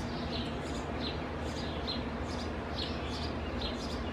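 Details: House sparrow pair feeding two nestlings in an old Purple Martin house grown over by branches: short, bright chirps about twice a second, with a brief pause midway, over a steady low rumble like distant traffic.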